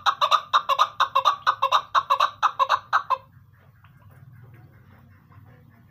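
A female chukar gives a quick run of about thirteen clucking chuk notes over three seconds, then falls silent over a low background hum.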